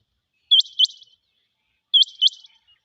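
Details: Rain quail (Coturnix coromandelica), call.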